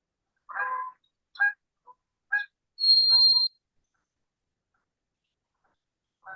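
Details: A White-throated Sparrow, a common migrant passing through, gives its call: a few short, rough, mid-pitched notes, then one clear, steady, high whistle held for under a second, against a quiet indoor background.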